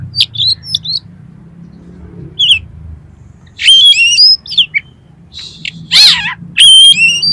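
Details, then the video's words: Oriental magpie-robin song in lively singing form, used as a lure to train competition birds: loud, clear whistled phrases with sharp slurred notes and a harsh rattling burst, separated by short silences over a soft low hum. "KACER GACOR FULL MATERI MIUNTAH ISIAN || COCOK UNTUK PANCINGAN KACER LOMBA"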